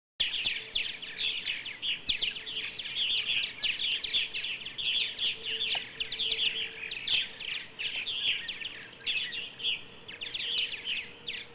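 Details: Several purple martins chirping together in a dense, continuous chatter of high twittering notes with no pauses, with a faint steady low hum behind them.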